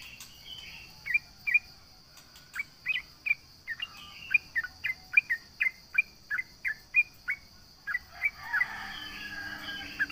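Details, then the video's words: Lively sooty-headed bulbul provoking a rival: a long run of short, bright chirped notes repeated about twice a second, evenly spaced, over a constant high insect whine. "SUARA trucukan gacor MENGEJEK LAWAN"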